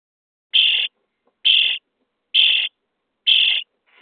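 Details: Common starling nestlings in a nest box, day 23, begging at feeding time: four evenly spaced, grating buzzy calls roughly every second, another just starting at the end.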